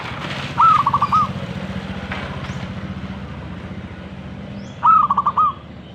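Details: Zebra dove giving two rolling cooed phrases about four seconds apart, each a rising note and a fast string of short coos, with steady engine-like rumble and traffic noise throughout.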